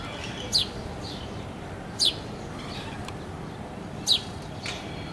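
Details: House sparrow calling in the early morning, recorded on a Sony handycam: three loud, sharp, downward-sliding chirps about two seconds apart, with fainter chirps between them over a steady background hiss.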